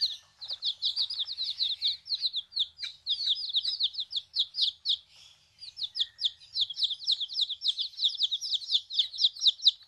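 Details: Baby chicks just arrived at a backyard farm: a dense chorus of high, rapid peeps in bursts, some notes sliding downward, with a short lull midway.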